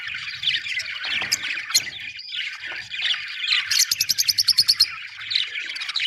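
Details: Happy budgerigars chirp and warble in busy chatter, including a quick run of about a dozen rapid, evenly spaced ticking notes near the middle.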